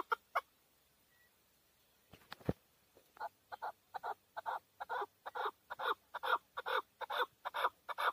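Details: Male hunting chukar partridge in Tajikistan, 2020, calling. A few scattered clucks and knocks come first, then a steady run of hoarse, rhythmic chuck notes, more than two a second, growing louder toward the end.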